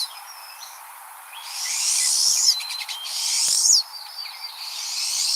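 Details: Pine Siskin song: high twittering notes building into two long, buzzy, rising zreee sweeps with a quick trill between, growing louder. This is the rapid takeoff and buzzy, trilly acceleration that marks the species.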